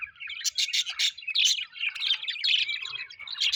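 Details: Pet budgerigars, said to be happy, keep up a steady flow of warbled chatter with harsh buzzy bursts and bright chirps in rapid succession.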